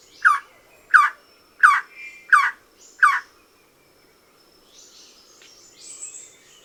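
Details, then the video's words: Theekkakka, the Malabar Trogon of Kerala's Western Ghats forests, giving its soft kuy-kuy call: five clear, slightly falling notes spaced about two-thirds of a second apart, then quiet with faint distant bird chatter. "കുയ് കുയ് എന്ന കൂവൽ കൂടാതെ കിർ കിർ എന്നൊരു ശബ്ദവും ഇടയ്ക്കിടയ്ക്ക് പുറപ്പെടുവിച്ചുകൊണ്ടിരിക്കും. ഇതോടൊപ്പം"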